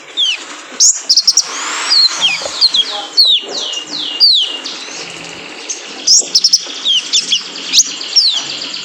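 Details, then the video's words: Training recording of a male kolibri ninja for caged birds: high, thin whistled chirps, downward sweeps and clusters of tiny ticks, delivered in uneven bursts with short gaps. "PANCINGAN KONIN JANTAN BIAR GACOR"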